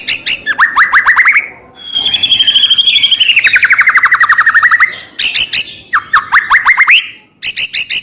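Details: White-rumped shama, song used to provoke a rival shama to sing: runs of quick rising whistles, then a long wavering whistle breaking into rapid buzzy chatter, then more rising whistle series.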